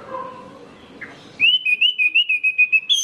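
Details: Orange-headed thrush song used as a lure to get other orange-headed thrushes singing: after a murky, noisy start, a loud run of about a dozen quick, clear whistled notes, high and slightly wavering, repeated several times a second.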